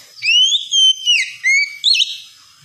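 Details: Oriental magpie-robin song played as therapy to get a young, untrained bird to sing the wikplong style, from Indonesia's songbird hobby: loud clear whistled phrases, several sliding rising and falling notes in quick succession, then a twisting final flourish.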